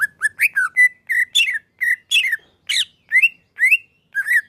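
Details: Greater green leafbird, a male, singing: clear whistled notes with quick slurred rising and falling phrases around the middle pitch range, delivered in short separate bursts with brief gaps, clean and without background noise.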